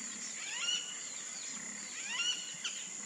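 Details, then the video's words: Wattled jacana giving sharp, squeaky chattering notes in quick bursts and several rising and falling slurred squeals, over a steady high insect hiss. "JAÇANÃ (JACANA JACANA), WATTLED JACANA"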